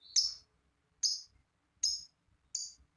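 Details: Lovebird meant to coax other lovebirds into singing: four abrupt, piercing high chirps at uneven gaps of under a second.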